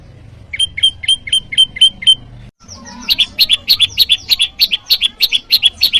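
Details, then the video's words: Bar-winged prinia call variety for luring wild prinias and as training material: six evenly spaced sharp high chirps, a brief break, then a fast run of doubled ticking notes that continues steadily to the end. "Masteran burung PRENJAK LUMUT || Prenjak jawa Suaranya memanggil lawan"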